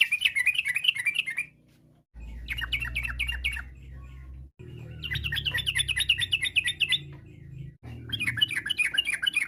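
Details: Yellow-vented bulbul in long, varied "ropel" style song said to make others answer at once: repeated bursts of rapid bubbly rising-falling notes, four runs split by short breaks, faint low hum beneath.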